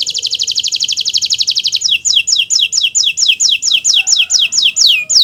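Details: Singing Nusantara canary, recorded as a tutor for other birds learning song: a very rapid high trill, then slower repeated downslurred notes at a steady pace of about three per second.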